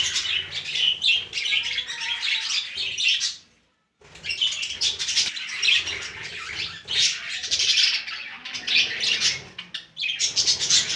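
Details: Budgerigars that have just taken over a new clay pot nest chatter continuously with bright, scratchy warbles and chirps, pausing briefly before resuming.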